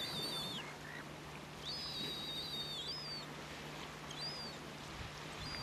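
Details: Caspian tern at Tararu, Coromandel, New Zealand, among preening, begging and flight behaviour; a few thin, high drawn-out calls, some level and some falling, spaced across the recording, with a steady low engine-like hum beneath.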